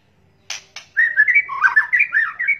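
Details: White-rumped shama lure sound, juvenile, male and female crackling calls: two dry rasping bursts, then an unbroken, fast, chattering warble of slurred whistled notes.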